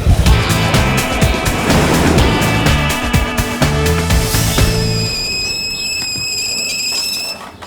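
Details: Loud music with deep bass and vehicle-like noise plays throughout, ending in a fading high ringing tone; no animal voice can be picked out.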